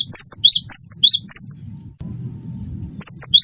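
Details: Cinereous tit of the wingko type singing as tutor song to prompt other birds: a rapid series of bright, wavy, high whistles, then a quiet stretch of low hum before two more whistles.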